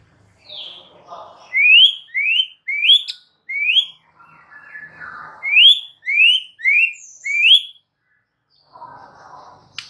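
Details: Song of a White-rumped shama played so a silent bird starts singing; two series of four rising whistled upslurs, each a clear sweep, with soft rustling between.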